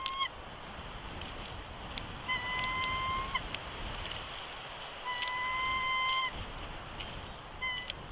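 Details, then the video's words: Bald eagle pair at their Big Bear Lake, California nest in January 2020. The male whines and protests when coaxed off the eggs: drawn-out level whistles repeat every few seconds over background rumble. "Jackie Coaxes Shadow Off The Eggs ∞ Beak Kisses & Vocals!"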